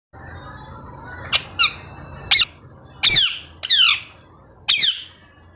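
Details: Pet parrot giving six harsh, down-slurred squawks, spaced unevenly over about four seconds, each sharp and bright with a ringing edge, against a low indoor hum.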